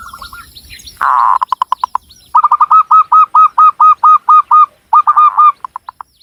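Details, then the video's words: Local Javan zebra dove from Cilacap, Central Java, singing a loud, steady series of about a dozen evenly spaced hooked cooing notes after a burst of rapid shorter notes, ending with a few quick clipped notes. "SUARA BURUNG PERKUTUT LOKAL JAWA GACOR"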